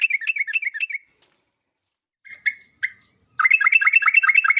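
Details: A yellow-vented bulbul gives a lively run of bubbly, chirping notes, then a few single chirps, then another fast burst of chattering notes; the description suggests a female calling a male.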